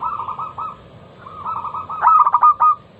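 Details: Local zebra dove used as a singing lure, loud crystal voice: soft rolling trilled coos run on, then a loud burst of sharp staccato notes closes the phrase.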